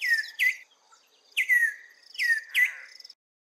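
African Emerald Cuckoo giving clear, whistled paired notes that slide down then lift, repeated in three quick bursts over about three seconds.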